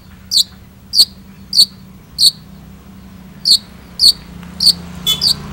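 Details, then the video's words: Long-tailed shrike singing actively: a series of short, piercing high chirps at an irregular, fairly quick pace, with a brief pause midway and a low hum underneath. "PENTET GACOR ANTI GALAU"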